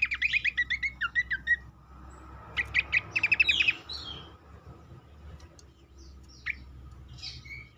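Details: Cingcoang, or black-capped babbler, song as a lure to prompt other birds to sing: evenly paced, rapid chattering notes for about three seconds, then quieter scattered chirps and slurred high notes over soft background hiss.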